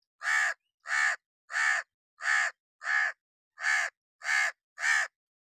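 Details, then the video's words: A hooded crow sitting on wood in the rain in summer calls a steady series of eight coarse, rasping caws, about two per second, with a slight pause after the fifth. "how to crow cawing sound effects from sitting on wood enjoy the summer vibes in rain"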